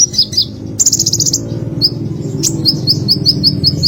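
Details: Olive-backed sunbird giving a varied string of high notes: short chirps, a dense buzzing trill, then a rapid run of evenly repeated sharp ticking notes, set against a constant low mechanical drone.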